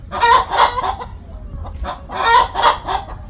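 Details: Before laying, a hen cackles loudly in two bursts of harsh, rasping, repeated notes separated by a brief softer stretch, against low background rumble.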